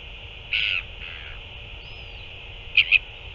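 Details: Northern royal albatross recorded 9 February 2024 during a feeding, with an adult feeding a chick: a short buzzy harmonic call, a fainter second note, then a quick double chirp, over a steady high hiss.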